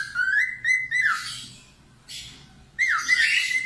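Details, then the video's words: Budgerigar chatter used to train cockatiels to sing: a short run of whistled notes rising slightly, a buzzy slurred drop, a brief noisy burst, then another loud whistled phrase. "COCOK UNTUK MASTERAN COCKATIEL LATIH SUARA PARKIT AUSTRALIA"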